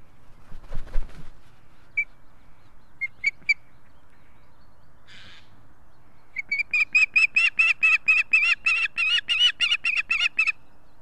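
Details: Ospreys at a nest in Estonia on 3 August 2018, an adult pair with their chick. After a few scattered single notes comes a loud burst of about twenty harsh, chirping notes, two to three per second, over quiet background.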